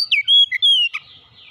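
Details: Short oriental magpie-robin fragment, from song played to get a quiet magpie-robin singing: a few clear whistles, one long even note falling slightly at its end, then fading hiss.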